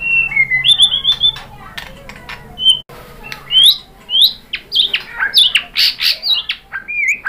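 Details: White-rumped shama song used to provoke other shamas into answering and singing: a rich, varied run of loud whistled notes and sharp chips darting between mid and high pitch, with quick bursts and brief pauses.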